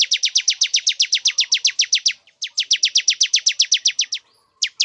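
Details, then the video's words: Male bar-winged prinia singing to bring a female into breeding condition: two long trains of quick, sharp high chips, about four per second, split by a short gap, with a final pair of notes after a pause. "Suara pikat ciblek jantan agar betina cepat birahi"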